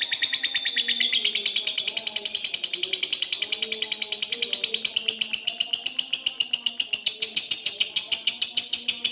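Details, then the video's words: Long ngekek of a fighter lovebird, played to anger opponents and make silent birds respond: a continuous stream of fast, rasping high chirps, roughly ten per second, sustained across nine seconds with a brief pitch shift near the start. "PANCINGAN LOVEBIRD NGEKEK PANJANG, PALING JITU PANCING EMOSI LAWAN, LABET MALAS BUNYI LANGSUNG NYAUT"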